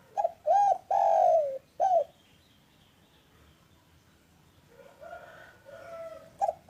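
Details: Local spotted dove calling in the afternoon, used as a lure to prompt reluctant doves to call. Loud, harmonic, mellow coos open the clip: short notes, then a long drawn coo and another short one. After a pause come softer, lower coos and a final loud note.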